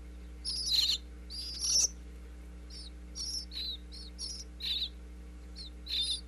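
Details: Young bluebirds in a Pennsylvania birdhouse, heard through a wireless mic set in a crack at the back, calling to feeding parents: scattered short, high chirps, some in quick pairs, quieter than full choruses, over a steady electrical hum.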